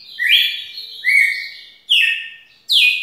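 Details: Red-cowled cardinal giving a long song of four loud, clear whistled phrases, each sliding upward then falling away, about one every second, with no other sounds.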